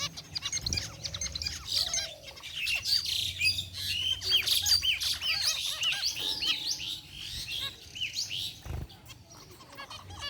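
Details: Zebra finches of white and gray varieties, a group in an aviary cage, chirp continuously: a dense overlapping chatter of high, short tweets and nasal notes with scattered louder calls and low rumbling noise.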